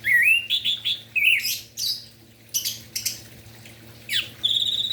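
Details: Energetic morning song of an orange-headed thrush, aimed at getting silent or spotted young thrushes singing: fast varied whistles, slurs and scratchy trills, ending in a sustained steady high whistle, with a faint hum behind.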